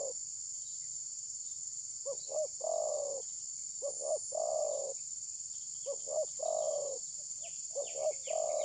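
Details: Spotted dove decoy during a trapping session, phone recording. Four repeated phrases of two quick clipped coos followed by a drawn-out mellow coo, with a constant high-pitched hiss behind.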